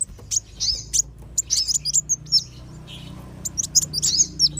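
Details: Softer sunbird lure, wulung and sogon kinds, used to call wild birds down: spaced bursts of thin high chirps and squeaks over a faint hum.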